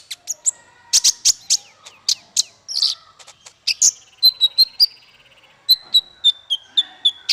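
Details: Small songbird singing, a master song for teaching young fighter birds: separate sharp chirps, then a long run of evenly spaced high ticking notes over a steady thin whistled tone.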